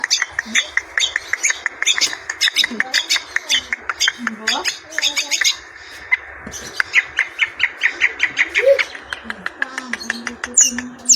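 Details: Long-tailed shrike singing persistently in the style called klawean: fast run of harsh, chattering notes repeated several times per second around a mid-high pitch, with brief pauses, over faint low tonal background sounds.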